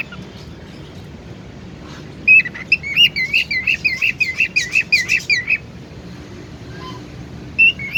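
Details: Tame cockatiel during play with its owner, giving a quick burst of about fifteen bright chirped notes in three seconds, then pausing before a single short whistle near the end, with faint room noise.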